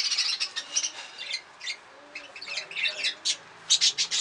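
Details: Breeding budgerigars calling in clipped, harsh high chirps, clustered early and late with a quieter gap in the middle.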